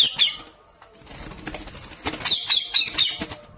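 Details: Pet parrot talking: bursts of harsh, high, stacked chattering syllables repeated in quick runs, with gaps and some rustling between.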